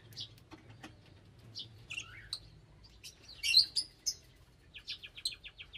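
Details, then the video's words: Lovebirds chattering with high, thin squeaks and twittering notes, building to a loud cluster of shrill chirps, then ending in a fast series of evenly repeated short chirps; a soft low hum persists. "Love Birds Nature Sound"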